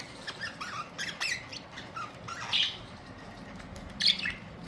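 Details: Several budgerigars, April 19, 2023, uttering scattered squeaky chirps and short warbling phrases with brief pauses between, a louder squawk near four seconds, over soft indoor background hiss.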